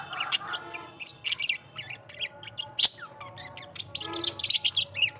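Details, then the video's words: Australian parrot singing a varied warble of chirps, short whistles and scratchy notes, irregularly spaced, over a faint steady low hum. "Australian parrot singing"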